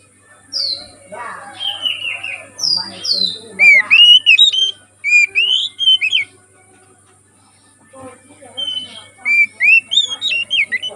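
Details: Wild oriental magpie-robin (kacer) from the forest, used as a lure to train birds: clear whistled phrases with rising and falling slurs and short twisting notes, repeated in quick bursts, with a quiet pause partway.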